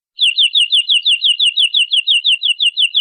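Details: Long canary masteran recording used to train young birds: one unbroken run of high, ringing notes, each dipping then rising, repeated steadily about six times a second with no pause. The background is silent.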